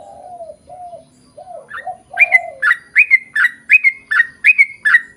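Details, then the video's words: Lure recording of a sooty-headed bulbul in full song to prompt other birds to answer; after low wavering coos, a run of loud bubbly two-part whistled notes repeats steadily, roughly three every second. "KICAU SUARA trucukan gacor ROPEL PANJANG pancingan trucukan agar bunyi MENJADIKAN trucuk gacor NYAUT"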